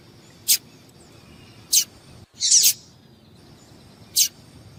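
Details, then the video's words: Female yellow-bellied seedeater calling to stimulate males, kept by breeders who prepare males for singing tournaments; four brief, sharp, high chips spaced irregularly over several seconds, one slightly longer and harsher, over a faint steady high hum. "Piado de Fêmea de Papa capim Para Esquentar papa capim"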